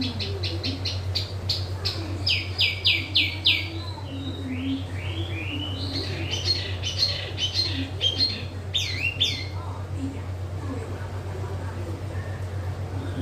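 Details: A small yellow-vented bulbul in lively song: fast series of chirps, then swooping whistled phrases, fading into quieter hum-filled pauses near the end.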